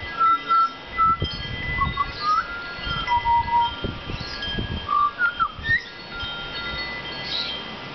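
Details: Butcherbird singing in a back yard, spaced pure whistled notes, some level, some swooping upward, with soft thumps and faint background sounds.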